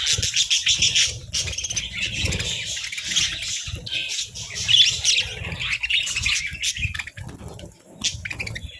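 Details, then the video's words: Budgerigars sunbathing keep up lively, buzzy warbling and sharp chirps throughout, accompanied by repeated soft low thumps and rustling. "Sunbathing Budgies"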